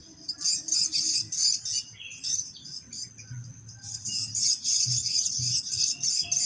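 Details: Swiftlet calls at a site check in Jember town, Indonesia: dense, high, buzzy chirps in rapid pulsing bursts, about three a second, almost continuous with a brief lull, over a faint low hum.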